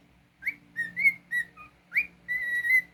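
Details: Pet cockatiel giving a quick run of clear whistles, upswept slides alternating with steady level notes and one lower dipped note, over a faint low hum.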